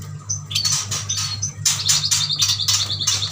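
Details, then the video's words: A flock of caged yuhinas from Kalimantan sends out clustered high chirps and short rising twitters, about five bursts in three seconds, mixed with rustling clicks and a low hum. "Burung yuhina gacor"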